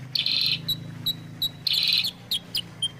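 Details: Kutilang sutra, a sooty-headed bulbul, in a clear recording meant to prompt birds to sing: two harsh buzzy bursts alternate with short piercing chirps, over a low background hum.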